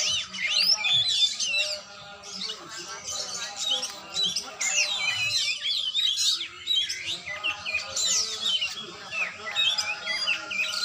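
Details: Oriental magpie-robin during a training session, singing a rich, varied stream of sweeping whistles, trills and chattering notes, mostly high-pitched, in dense bursts with short pauses, while faint low background sounds continue.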